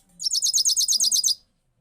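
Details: Goldfinch heard in 2022 giving a lone rolling trill, roughly eleven rapid, identical high notes in a steady pulse, ending abruptly into quiet.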